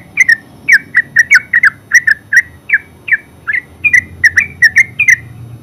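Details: Yellow-vented bulbul, called terucuk, singing in ngeropel style: bright bubbly notes at about two per second, each a quick slurred warble, with a low hum underneath.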